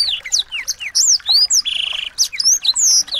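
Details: Small-bird song used to train a white-rumped shama to sing: loud, quick whistled upsweeps and downsweeps, one short buzzy trill, then more sharp, clear notes in fast succession.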